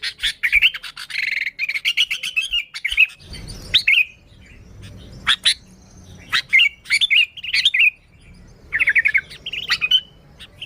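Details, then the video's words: Sooty-headed bulbul song for luring bulbuls, dense bursts of bright chirping and short whistled notes, some phrases rapid and jumbled, with faint low rumbling in the background. "Suara Burung Kutilang Gacor ASLI Tanpa isian, Ampuh untuk Pikat Kutilang bikin kutilang Ribut gacor"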